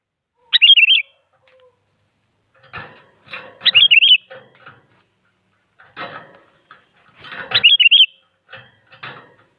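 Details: Very active sooty-headed bulbul singing to goad rival bulbuls into song: short bubbly whistled phrases, rising then wavering, given in bursts, mixed with rattling broadband scuffles and clatter between phrases.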